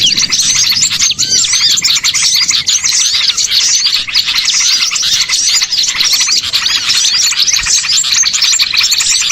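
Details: A crowd of small birds as a lure for trapping: high, dense twittering and rapid chirps go on nonstop, joined early by one lower, clear, slurred whistle.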